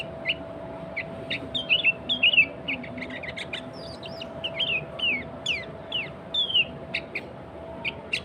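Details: Sooty-headed bulbul singing hard in its natural voice, offered as a tutor and lure for other bulbuls; busy chattering run of short chips mixed with sweeping whistled slurs, nearly continuous, over a low steady hum.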